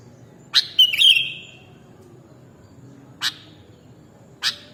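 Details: Sooty-headed bulbul (kutilang) in a mastering recording for training cage birds: a few sharp, explosive chirps early, one briefly drawn into a short higher whistled note, then two isolated clipped chirps spaced over a second apart against soft low background hum.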